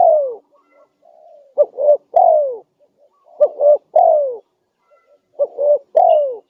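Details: Spotted dove lure call for attracting other doves in the wild: a run of mellow coo phrases, two quick notes leading into a drawn-out descending coo, repeated several times with a few faint soft notes between.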